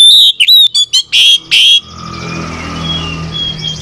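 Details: Oriental magpie-robin trading song phrases with another bird, meant to get a lazy bird singing: a rapid run of loud, clear high whistles and short buzzy notes, then fading to quiet soft whistles over a low hum.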